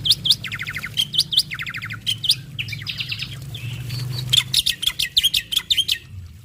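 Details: A male white starling (black-winged myna) sings a lively, varied medley of bright whistled notes, fast chattering rattles and short trills over a faint low hum, a song used to prompt other starlings to sing.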